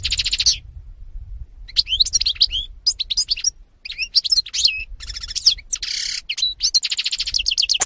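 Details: Singing European goldfinch, recorded in 2018, pouring out a fast, varied twittering song of liquid trills, buzzy rattles and high tinkling notes in bursts separated by brief gaps.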